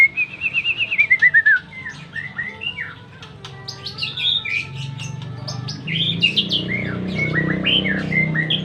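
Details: White-rumped shama singing: opens with a rapid run of about a dozen sliding whistled notes, then varied rich phrases of warbles, slurred whistles and sharp chips, loud and clear over faint low background noise.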